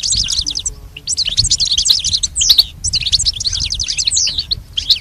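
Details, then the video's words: Goldfinch song used as a training recording to teach a pet goldfinch to sing: fast, high twittering phrases of chirps and buzzy trills in three bursts separated by brief pauses, over a faint low rumble. "Teaching the goldfinch the art of song-advanced lessons in best chirps"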